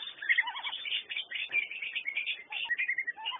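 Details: Whistling duck calls: a dense jumble of overlapping thin, whistled notes, some rising and falling, as if from several birds at once, with the sound cut off above the upper mid range.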